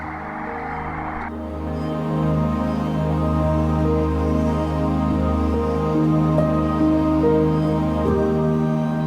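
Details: Soft, slow instrumental music with sustained tones and gentle melodic notes.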